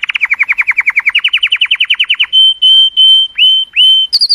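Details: Color canary song to stimulate females: a steady run of quick downward chirps rising slightly in pitch, then several long level whistled notes and a final high note.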